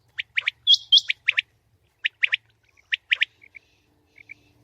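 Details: Female common quail calls, recorded for quail hunting: short sharp notes in quick bursts of two or three, with one louder, higher chattering burst near the start and soft faint notes towards the end.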